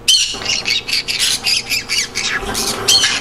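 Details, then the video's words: Green conure giving harsh, raspy squawks in a rapid, uneven series of short bursts, with a few brighter shrieking notes, apparently indoors; shared to create a happy mood for birds. "Green Conure Sounds. Creates Happy mood"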